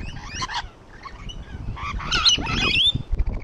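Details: Several rainbow lorikeets on a wall squabble with rasping, grating squawks, a few short notes at first and then a denser burst of shrill, slurred screeches near the end.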